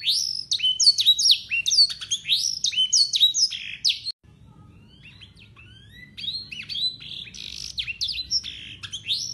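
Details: Local Yorkshire canary singing clear blackthroat-type song, used to train young canaries; about four seconds of fast repeated slurred notes, a brief quiet break, then the song resumes more softly.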